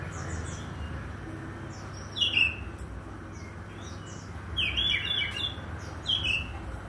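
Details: Oriental magpie-robin in the morning giving a run of varied whistles and thin high chips, louder rich phrases near the middle and end, with a soft low hum throughout.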